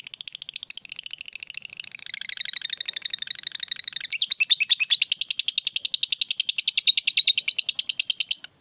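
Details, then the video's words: Ngekek panjang, the long unbroken chattering trill prized in a lovebird fighter, played as bait for other lovebirds: rapid, even, buzzy pulses running continuously for over eight seconds, shifting slightly lower midway. "Suara Lovebird ini Bisa bikin LB mu Rajin Bunyi Sepanjang Hari"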